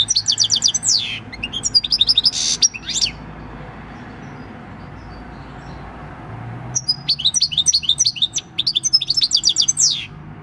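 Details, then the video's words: Six-year-old wild-caught European goldfinch singing its field-type song, recorded 26 December 2019: two bursts of fast, tinkling, high twittering notes with buzzy trills, separated by several seconds of quiet background hiss. "Chant du chardonneret / Goldfinch song"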